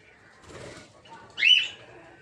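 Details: In a breeding aviary of rosy-faced lovebirds of several colour mutations, a soft rasping sound gives way to a single piercing, arched squeal.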